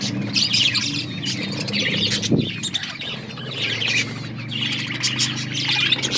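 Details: Budgerigars, Australian parrots, chirping while eating corn; dense overlapping high chirps and warbles from a flock, with a low hum underneath and a brief thud midway.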